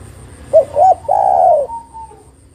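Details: Female spotted dove calling a male, used to lure birds for trapping. A short note and a brief double coo lead into one long, rolling, slightly falling coo, over a low hum and a faint high ticking.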